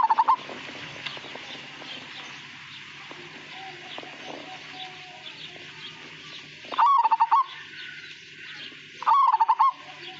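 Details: Majapahit perkutut (zebra dove) giving three brief rolling coo phrases spread over ten seconds, against a steady hiss of background noise with faint clicks.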